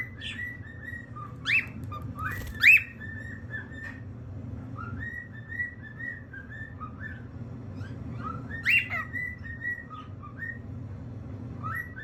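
A cockatiel gives a run of short, bright whistled notes, some rising and some wavering, with a few sharper chirps over a low indoor hum.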